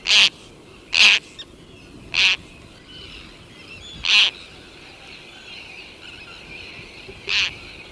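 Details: A single Roseate tern calls in flight at close range, with an Arctic tern colony in the distance. It gives harsh, rasping calls at uneven intervals of one to three seconds. Faint distant colony chatter and a steady outdoor hiss sit underneath.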